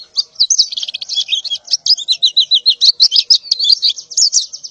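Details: Breeding-condition female white-eye calling for a mate in the morning, giving dense, high twittering chatter of quick slurred notes that runs without pause, with faint clicks behind.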